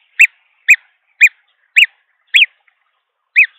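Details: Green wood hoopoe hatchlings, three in a nest in Pretoria, South Africa, during feeding in December 2022: six short, identical arched squeaky notes, about two per second, with a pause before the last.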